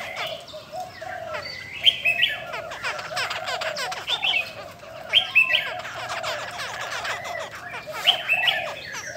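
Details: Female Chinese hwamei singing in the 'bắt cô trớt cột' style, flicking wings and tail, said to strongly excite males; a dense, scratchy run of fast twittering notes and high whistled accents that come in bursts every one to two seconds.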